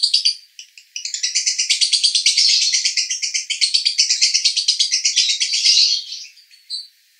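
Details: Lovebird male in konslet 'roda gila' style from Cibinong, Bogor: after a couple of short chirps, a long non-stop rattle of rapid shrill pulses lasting about five seconds, fading out, then one final squeak.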